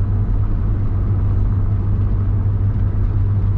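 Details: Heavy, continuous low rumble like an engine or steady rain on a vehicle, with no animal calls.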